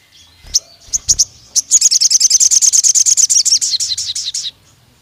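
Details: Pied fantail singing an excited long-running lure song: a few scattered sharp chirps, then a fast burst of about twenty-five high, squeaky repeated notes that slowly fade, with faint low background rumble.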